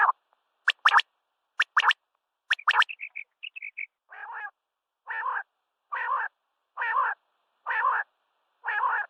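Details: Common quail at sunrise gives sharp, clipped notes in quick pairs and triplets, then a brief chirping run, followed by steady rasping, buzzy calls repeated about once a second.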